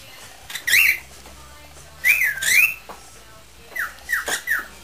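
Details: Pet parrot in a singing mood, improvising instead of whistling 'Spanish Flea', while another bird adds a few squawks. Short warbling whistled phrases with harsh noisy bursts are followed by four quick descending whistles in a row.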